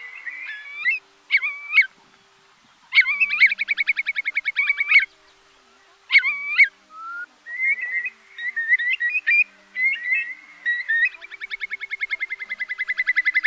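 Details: Eurasian curlew played as a night-trapping lure during the August 2024 migration: short looped whistles separated by pauses, bursts of bubbling trill, a string of rippling notes, and a closing even trill that grows louder.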